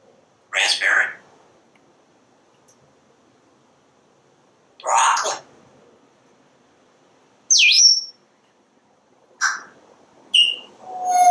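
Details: Word-like utterances from a parrot on a screened back porch, two spoken phrases, then a falling whistle and short chirps. It is watching the squirrels and birds.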